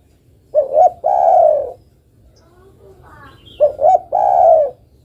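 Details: A female spotted dove calls to a male, repeating a phrase twice: two short rising coos followed by a long, loud, slightly falling croon, with a low hum underneath.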